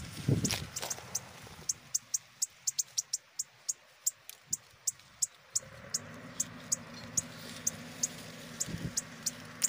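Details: A shiny cowbird chick in a tico-tico-rei's nest gives thin, sharp, very high begging cheeps, two to three a second, over a low engine-like hum and some rustling.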